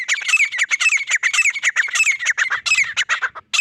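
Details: Continuous, dense, harsh chattering of grey francolin, with rapid notes packed together for several seconds before a brief gap at the end.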